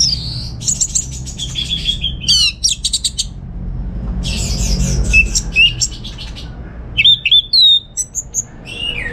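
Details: Caged orange-headed thrush in Bali, Indonesia, singing bursts of rapid, varied high notes: buzzy trills, sharp chips and clear whistled phrases, separated by short pauses, over a low steady background hum.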